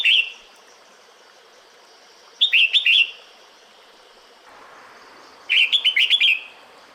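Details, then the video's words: Female red-whiskered bulbul calling the male in the breeding season: a short whistled note, then about two seconds later a quick run of four bright chirping notes, and another chirpy burst of six notes near the end, over a steady soft hiss. "Tiếng Chào Mào Mái Gọi Trống Mùa Sinh Sản"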